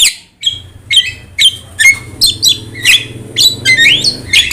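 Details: Javan myna with yellow eyes, singing continuously as a tutor for other songbirds: varied squeaky, whistled and rasping notes, some sliding upward, delivered in an uneven stream of about two per second over a low hum.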